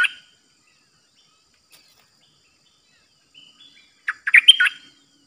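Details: Caged Streak-eared bulbul used as a new decoy bird, 6 May 2022. After a long quiet stretch with a few faint notes, one short burst of loud bubbling, whistled song notes.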